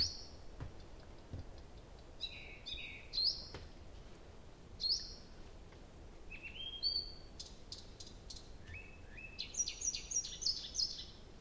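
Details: Nightingale singing through the night at Abramtsevo, early June, with recording begun at 23:00 on 6 June 2021; varied phrases of high whistles, sharp clicks and a closing run of rapid repeated notes, separated by short pauses.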